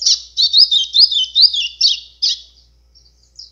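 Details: White-throated seedeater (golinha) singing in azulão style, used as a call to rouse birds: a fast, high warbled run of slurred rising and falling notes, about eight phrases in quick succession, then a short pause and a faint final note.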